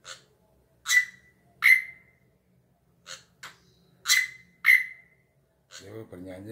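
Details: Drongo, a sweet black bird, sings to the beat of a hand: two loud pairs of sharp notes ending in clear whistled tails, separated by softer clicks, with a person speaking at the very end.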